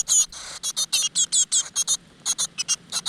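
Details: Nestling great tits in a rock-crevice nest, fed insects by their mother: a fast stream of about fifteen sharp, high, rasping squeaks, nearly continuous, with a short pause in the middle.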